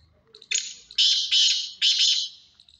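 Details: Black francolin (kala teetar) calling with a short clipped note, then three loud, harsh, grating bursts in quick succession, the last trailing off; near silence around it.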